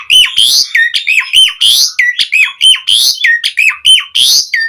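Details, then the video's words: Energetic Asian pied starling song meant to prompt starlings to sing: harsh rasping bursts alternating with loud downslurred whistled notes, in a steady run of roughly one phrase per second. "Pancingan Suara Jalak Suren Gacor POWER FULL Variasi Isian Buat Masteran Burung Jalak Agar Cpt Gacor"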